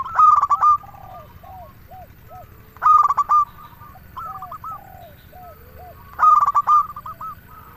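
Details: Local zebra dove in full song, used to coax silent doves into singing; three loud rolling coo bursts about three seconds apart, each followed by a run of soft short hooting notes, with low steady background noise.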